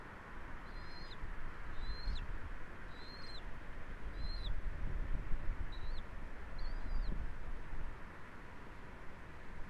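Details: Eagle at a nest on Captiva, recorded by a live nest camera on 07.01.2024 at 12:23 during the US eagle season with eaglets, gives thin high whistled chirps that slur downward, six notes about one per second, over steady low wind rumble.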